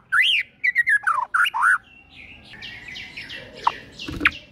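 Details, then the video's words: A white-rumped shama delivers a morning lure song rich in filler phrases: loud looping whistles and slurred notes, then softer distant twittering with a couple of sharp clicks. "Pancingan PAGI HARI 100% Efektif bikin GACOR dengan suara Murai Batu BONGKAR ISIAN satu ini"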